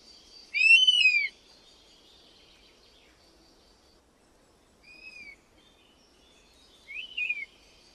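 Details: European honey buzzard calling: one loud, arched whistled note with strong overtones, followed several seconds later by two fainter, shorter whistles, over a continuous high background hiss.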